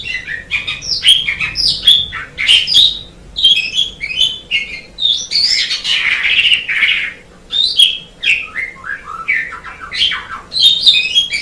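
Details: Black-winged starling singing loud, varied phrases of harsh chatter, clear whistled notes and buzzy squeaks in quick bursts, with a brief pause near eight seconds.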